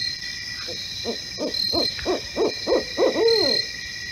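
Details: Barred owl in a Poughkeepsie, New York neighborhood, recorded in the middle of the night. It gives a quickening series of low hoots that rises into a drawn-out, wavering final note. Steady high insect-like buzzing runs throughout.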